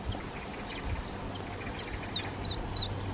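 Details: Black redstart (Phoenicurus ochruros); a darker male and a paler female are feeding fledglings that have already left the nest. Over steady background hum, a few faint notes are followed by about four sharp, high, downward-sweeping calls in the last second.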